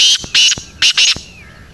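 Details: Black francolin (kala teetar) calling in a Pakistani village: four loud, harsh, rasping notes given as two quick pairs within about one second, followed by a faint fading trail.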